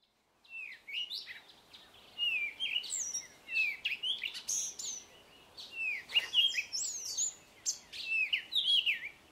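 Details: Cape robin-chat singing in a garden, a rich run of clear, slurred whistled phrases that includes mimicry, rising and falling in quick varied bursts, over faint background hiss.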